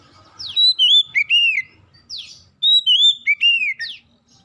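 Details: Oriental magpie-robin phrases used to stimulate other magpie-robins: two similar bursts of clear, warbled whistles with rising and falling slides, each opened by a quick downward sweep.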